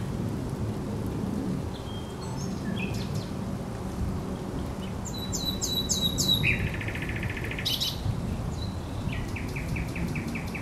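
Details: Thrush nightingale singing by the Żerań Canal on 24 April 2022: scattered high whistles, then a run of sharp repeated notes and a dense, fast rattle-like phrase, followed by further clipped repeated notes over a low rumbling background.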